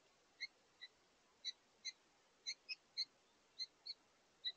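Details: A pair of house finches at a bird feeder on an evening of August 7, 2023, communicating as they feed, trading short, bright chirps, about ten notes in under five seconds at an uneven pace, against a quiet background.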